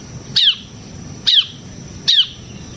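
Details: Bar-winged prinia (ciblek semi) used for luring and tutoring other birds, uttering three separate high, sharply falling chips spaced under a second apart over a faint low hum.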